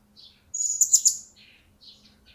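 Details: Blue-crowned hanging parrot, a newly obtained cage bird just starting to vocalise, gives a shrill, high-pitched chattering chirp with quick pulsed notes, framed by fainter soft tweets, with a low steady hum.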